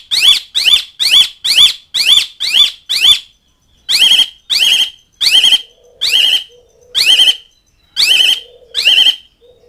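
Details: Asian pied starling calling to mates and rivals: a fast run of harsh, buzzy, high notes, about seven in three seconds, then a pause and slower, evenly spaced notes with a faint low hum underneath.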